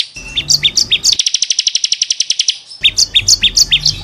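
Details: Bar-winged prinia in full song, a tutor track for caged birds: paired bright chirps alternating high and low, a rapid even trill of about twenty notes, then the chirping pattern again.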